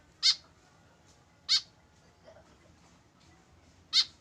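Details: A tame white-breasted woodswallow, alone without a companion, gives three short, grating, shrill calls at intervals of about 1.3 and 2.4 seconds, over quiet background noise.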